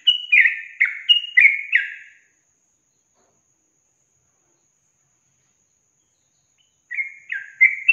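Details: Yellow-vented bulbul lure song for reluctant young caged birds: about two seconds of fast bubbly whistled notes, a long silence, then the chattering phrase starts again.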